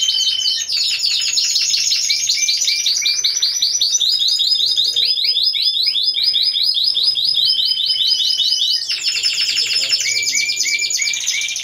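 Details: Competition song of Timbrado Español canaries entered as a team of four, category C1, November 2015. Continuous loud, high rolling trills change every few seconds between faster and slower repeated notes, some dropping in pitch.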